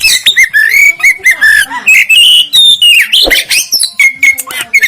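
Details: Black-breasted Oriental magpie-robin, the local East Java form, mostly black with white wings and tail, in a masteran recording: loud clear whistled phrases, slurred rising and falling notes and quick sharp chips, in short bursts.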